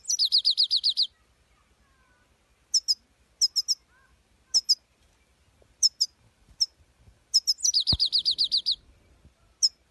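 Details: European goldfinch, or saira, gives a rapid rippling trill of repeated downslurred notes, then isolated sharp high double chips spaced irregularly, ending with another fast liquid trill series.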